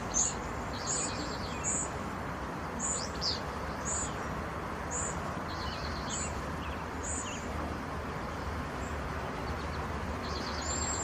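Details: Cedar waxwings calling: a series of high, thin, sibilant notes repeated about once a second, some paired with softer trilled notes slightly lower, against constant low rumbling background noise.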